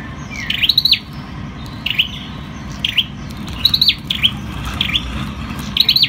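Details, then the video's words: An ashy tailorbird sings short, sharp, high notes, sometimes doubled, repeated about once a second over a low steady hum. "Sâu đầu đỏ đá tay. Bird singing Orthotomus sepium"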